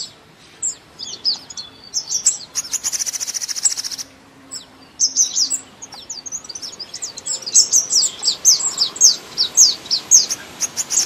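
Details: Spring song of a thrush nightingale: scattered high chirps, then a dry buzzing rattle lasting over a second, followed by a dense run of sharp, high slurred notes.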